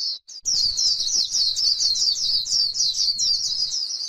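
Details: On open grassland, a white-eye delivers líu song meant to provoke other birds into singing: after a brief opening chirp comes a dense stream of fast, high, twittering notes that barely pause.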